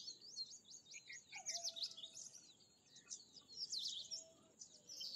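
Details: Bimaculated lark pouring out a rapid stream of repeated, high, tinny notes that blend into scratchy twittering. Faint low whistles sound in between.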